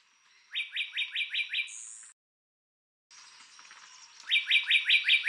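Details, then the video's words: Adult Puerto Rican bullfinch (Melopyrrha portoricensis), endemic to Puerto Rico, singing: runs of about six bright, rising whistled notes repeated quickly, a pause, then another similar run. "adulto cantando"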